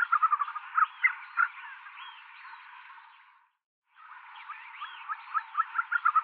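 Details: Tibetan snowcock (Tetraogallus tibetanus) calling and singing: loud, ringing clucks and rising whistled notes in irregular bursts, with a brief silent gap partway through.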